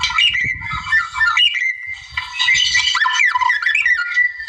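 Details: Short burst of song from a wild white-rumped shama provoking a rival: scratchy chatter, then downward-looping whistles, over a steady faint high tone.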